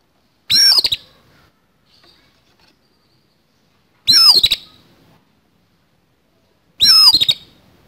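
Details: Oriental magpie-robin giving its harsh fighting song: three loud bursts, each a cluster of rough clicks with sweeping, downward-bending whistles, separated by three-second pauses of near silence.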